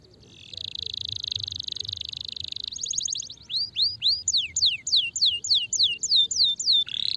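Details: A canary sings a long even buzzy trill, followed by a quick rattle and a row of clear, swooping whistled notes repeated at a regular pace, used to stimulate a sluggish bird.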